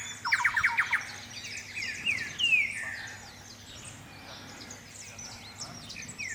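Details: Thrush-like wren song amid rich natural ambience: a quick run of repeated clipped mid-pitched notes, then a long slurred descending whistle, with many other birds chirping and twittering in the background.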